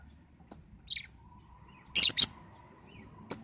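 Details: Lovebird lure call for young birds under five months: a handful of separate high, sharp chirps and a raspy double note, with a faint steady hum beneath.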